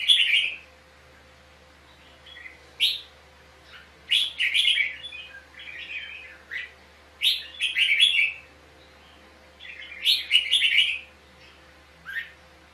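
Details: Red-whiskered bulbul dueling song from a trapping scene with fierce fighting, offered as decoy sound for training birds: repeated bursts of rich warbled phrases and crisp high notes every two to three seconds, faint steady hum behind.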